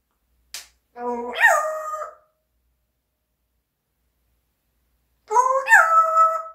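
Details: Talking pet parrot producing two drawn-out harmonic cries that swoop upward then hold a steady tone, almost howl-like, with a long silence between them.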